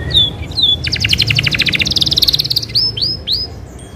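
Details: Isabel canary in full rolling song meant to spur other canaries to sing: slurred whistles, then rapid pulsed trills stepping upward in pitch, ending with three swooping whistled notes.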